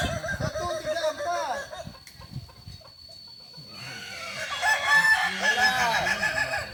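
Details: Kukuak Balenggek roosters at a group training session in Ampang Kualo, Solok city: several long, multi-part arched crows overlapping one another, set against background noise and voices.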